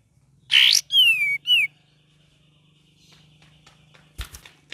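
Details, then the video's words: Cream-vented bulbul in gacor, ngeriwik variation: a harsh burst, then a long clear whistle sliding downward and a shorter falling note, followed by a faint low steady hum and a few soft clicks. "KAPAS TEMBAK VARIASI GACOR DAN NGERIWIK"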